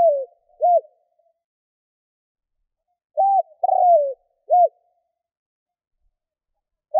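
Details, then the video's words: Decoy spotted dove cooing for wild doves. The end of one phrase comes first, then after a pause a full three-note phrase with a long, burry, falling middle note. Another phrase starts at the very end. "Chim cu gáy kích bổi nhanh nổi"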